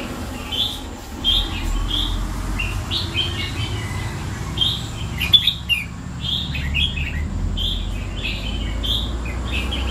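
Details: Red-whiskered bulbul kept in a cage for two years, pouring out a near-continuous run of short, sweet chirped and warbled notes over a soft low hum.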